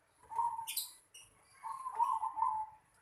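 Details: Zebra dove calling in a home yard: two gentle rolling coo phrases about a second apart, the second longer and wavering, with a short faint high chirp in the gap.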